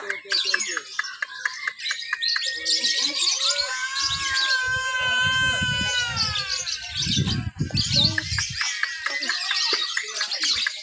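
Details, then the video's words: Caged lovebird at a Sunday practice singing competition in Papua, Indonesia, on 31 October 2021, in a mixed lovebird class. It chatters (ngekek) while clinging to the cage bars: dense high chirps, then a run of clear rising and falling whistled notes. Low rumbling and voices sit underneath. "LOVEBIRD THE BEST, NGEKEK SAMBIL NGERUJI/MERAYAP AUTO JUARA"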